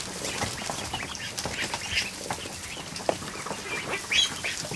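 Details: Newly hatched ducklings, over a hundred of them, crowded in a kiddie pool in a barn during the afternoon, giving bright high-pitched peeps in quick overlapping bursts, with a louder rising cheep near the end and light splashing.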